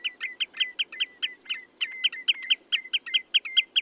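A Common redshank gives a fast run of ringing, fluty notes, about five a second, each slightly falling, over faint low background noise.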